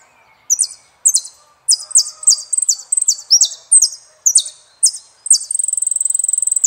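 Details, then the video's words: Saffron finch, known in Argentina as jilguero, singing a series of sharp, high, downslurred chips with short pauses, ending in a fast, even, high trill, in a quiet setting. "JILGUERO ARGENTINO"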